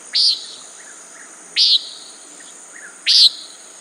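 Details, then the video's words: Three harsh, buzzy nasal calls from a common nighthawk, each brief and sharp, repeating about every one and a half seconds, with faint softer notes between them. "Common Nighthawk Sound, Bird Call"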